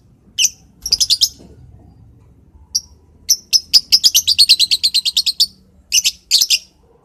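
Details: A lovebird chatters in the morning: short groups of shrill, high chirps build into a long, rapid, steady series of about fifteen sharp notes, then a few more bursts.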